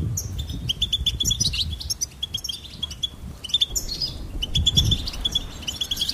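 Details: Continuous goldfinch singing, strings of bright repeated chirps and rippling twitters in phrases a second or two long, over a soft low hum.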